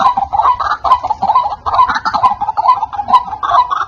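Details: White-breasted waterhen call played as a lure to draw in wild birds: loud, clear, harsh croaking notes repeated rapidly and steadily, about two per second, in a continuous rhythmic chorus.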